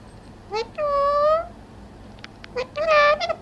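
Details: Talking parrot: a drawn-out, tonal, whistle-like vocalization, then a pause with faint clicks, followed by a second burst of rich, speech-like syllables.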